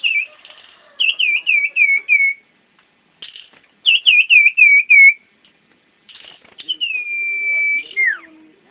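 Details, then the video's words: Common iora, a tame songbird of a kind now entered in singing contests, singing actively: three bursts of quick, wavering, downslurred whistled notes, then a long steady whistle that drops sharply at its end. "Burung Cipoh Jawara Gacor"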